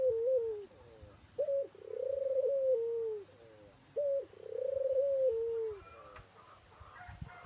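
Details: A local puter dove in active song gives two full cooing phrases, each a quick introductory note followed by a long trilled, gently falling coo, with soft fainter notes between and low steady hum.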